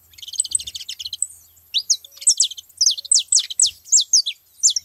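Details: Saffron finches gathered at a feeding spot: a buzzy rattled trill opens, then loud high notes sweeping downward follow one another roughly twice per second, with soft low thumps beneath.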